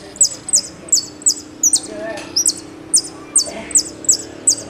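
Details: Argentine goldfinch, 'golpe y pitadas' song style: a series of crisp, high, downward-slurred notes delivered about twice a second with brief gaps, against a soft background hum.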